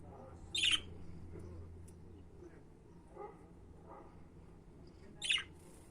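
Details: Pet budgerigars giving two sharp, harsh chirps, one early and one near the end, set against a steady low hum with faint softer chirps in between.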